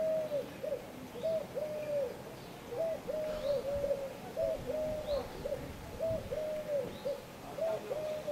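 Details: Eurasian collared dove at Le Mont-Saint-Michel, France, in May 2013, giving soft, low, hollow coos in steady three-note phrases, with faint high chirps from other small birds behind.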